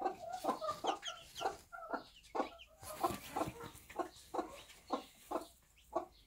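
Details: Bantam mother hen with her one-day-old chicks in a backyard flock, giving low, soft clucks repeated roughly once a second, with faint high chick peeps in the background.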